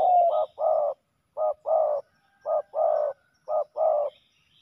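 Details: Male spotted doves fighting at a ground decoy site give low, hollow coos in pairs: a short note then a longer, slightly falling one, four pairs in under five seconds, clean and unaccompanied.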